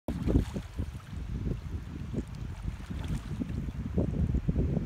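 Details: Low rumbling wind and lapping water noise, with no animal voice heard.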